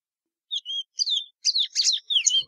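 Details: Plumbeous seedeater singing briefly: two clear whistled notes, one falling, then a burst of dense buzzy chirps and a final slurred downward whistle, after half a second of silence.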